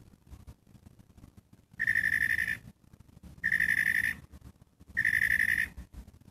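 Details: Three steady, nasal, rapidly pulsed notes from a catbird, each under a second long, separated by pauses of about a second.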